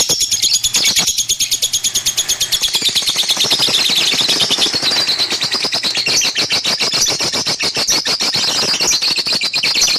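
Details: Lovebird chattering song: a dense run of rapid, high, scratchy chirps repeated about three times a second, with buzzy trills overlapping throughout and a few brief gaps early on, in a small room.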